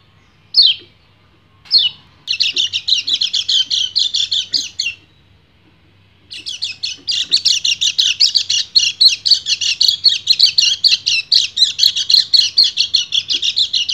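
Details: Male white-eye in breeding condition calling to a female, opening with two sharp, high downslurred calls, then bursting into long runs of fast, chattering twitters broken by a short pause.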